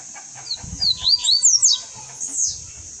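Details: Double-collared seedeater singing in a cage to pass on its song. A lively phrase of about eight high, swooping, rapidly alternating notes lasts about a second and a half, over a low rumble.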